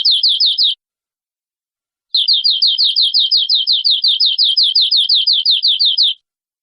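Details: Canary singing short bursts of quick, high downslurred chirps, then after a two-second pause a longer evenly paced trill of the same notes.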